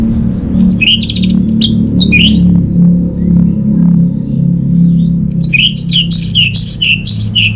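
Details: Caged orange-headed thrush from Bali singing, meant to lure silent home birds into song: sharp whistled phrases at the start and a dense run of high varied notes near the end, over a constant low hum.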